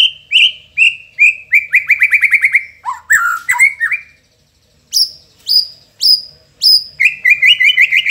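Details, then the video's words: Indonesian White-rumped Shama song with mimicked phrases of sogon, cricket, cungkok and lovebird. Repeated descending whistles lead into a rapid chattering trill, then separate sharp high notes spaced about half a second apart, ending in quick twitters. "Isian Istimewa | Sogon_Jangkrik_Cungkok_Lovebird | Shama Bird INDONESIA"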